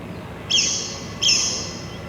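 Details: A recording of a Blyth's Pipit played during a lecture on pipit identification: two short, harsh, high buzzy notes about three-quarters of a second apart, over a faint low background hum.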